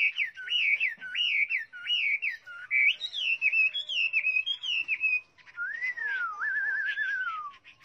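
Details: Chinese hwamei singing repeated looping whistled phrases about twice a second, followed by a long descending whistle with a rapid wavering trill.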